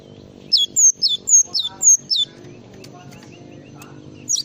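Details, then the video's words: Java sparrow on a songbird tutor recording: a burst of about seven bright chirps, each sliding from high to lower pitch, followed by quiet low background and one last chirp. "masteran burung gelatik"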